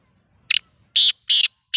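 A black francolin gives a harsh, grating phrase of four loud rasping notes, a short one followed by longer ones, with no other clear sounds.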